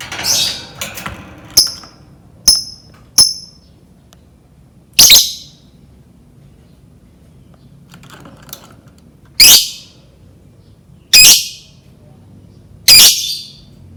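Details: Lovebird sound played to lure lovebirds into learning to sing: sharp, high, squeaky single chirps spaced irregularly, some short clicks, others louder rasping notes every two seconds toward the end.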